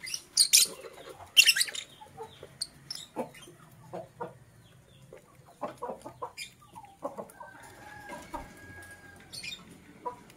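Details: Green and blue masked lovebirds chatter in the morning. It opens with two loud, piercing shrieks, followed by a string of softer clicks, ticks and short squeaky notes.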